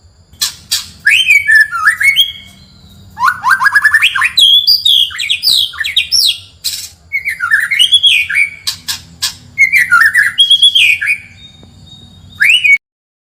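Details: White-rumped shama (murai batu) song for riling up a neighbour's bird: loud varied phrases of slurred whistles, harsh squawky notes and clicks, delivered in bursts separated by brief pauses, over a steady low hum.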